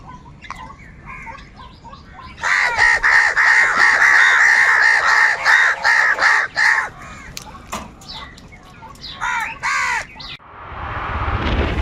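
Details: Crows calling angrily, continuously and loudly: a dense run of harsh, rapid caws for about four seconds, then scattered caws and a final burst, ending in rushing noise.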